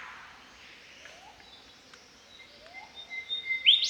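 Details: Australian Golden Whistler singing in spring in the Australian bush: faint, steady clear whistles hold level for about two seconds, then end in a loud, sharp, rising whipcrack-like note.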